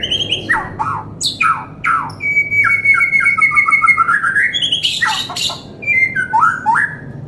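A white-rumped shama sings a fast, varied run of rich whistles: sliding and falling notes, a long steady whistle, and harsh chattering bursts over a low background hum.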